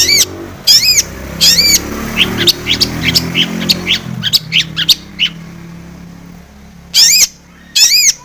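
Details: Long-tailed shrike singing a provoking lure song: loud harsh nasal squawks in pairs, a middle stretch of softer scattered chirps and whistles, then more grating squawks.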